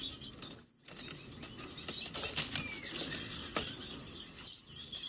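Swee waxbill giving two brief, very high, thin call notes about four seconds apart, over faint rustling and soft background noise.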